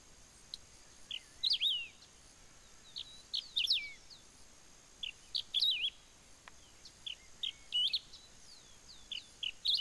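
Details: Wedge-tailed grass-finch filmed at Ouro Branco, Minas Gerais, Brazil: short high chirping phrases of squeaky notes with rising and falling slurs, repeated in bursts every second or two, with a faint steady high hiss behind.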